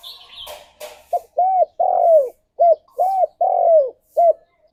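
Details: Lively spotted dove song used as a lure and prompt: after faint chirps from another bird, two repeated phrases of a clipped note, a rounded coo, a drawn-out descending coo and a short closing note.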